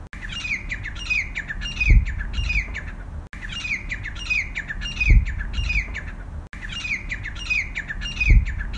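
A grey francolin gives a harsh, ringing run of repeated high notes. The same phrase comes round three times, about every three seconds, over a low rumble and one thump.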